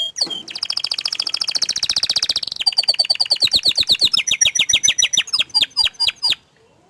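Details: An orange frost canary sings a long fast trill, then a series of paced chirps dropping in pitch before falling quiet.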